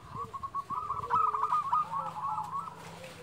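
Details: Local zebra dove (perkutut lokal) giving quieter rolling, trembling trills. Lower whistled notes and a noisy background accompany it, with another bird possibly overlapping.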